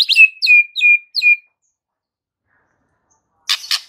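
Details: White-rumped shama singing to provoke fighter males: four clear downslurred whistles, each ending in a steady tone, then a pause and two rough, clicking notes.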